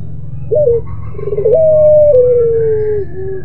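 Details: Barbary dove, pelung type, giving a moaning coo. A short rising note comes first, then a long even hoot that steps down in pitch and fades into a soft lower tail, over steady low background rumble.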